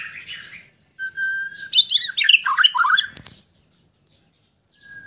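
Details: A White-rumped shama from Sabah, Borneo, sings a rich, varied phrase: a clear steady whistle, then a burst of tumbling, chattering notes, and a single whistle returning at the end.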